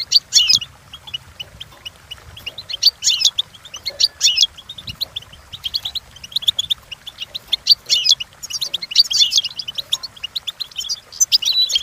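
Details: Goldfinch song used in training: sustained lively twittering, with fast clusters of chirps and harsh buzzy bursts recurring every few seconds, and quieter single notes between them.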